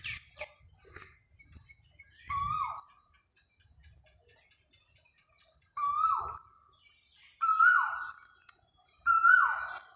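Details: Koha bird giving loud, downslurred whistled calls, each starting level and then falling sharply, in irregular bursts, with the last three coming about every one and a half seconds; faint soft clicks and chirps between calls.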